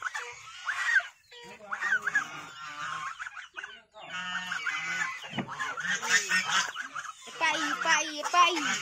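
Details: White domestic goose giving repeated nasal honks amid a person's voice calling "pai, pai" and other chatter nearby.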